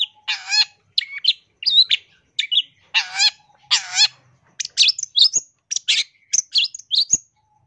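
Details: Masteran song of a long-tailed shrike, packed with imitations, recorded in 2023 for training and luring birds. Harsh rasping buzzy bursts alternate with quick high chirps and squeaky slurred notes in a rapid varied sequence.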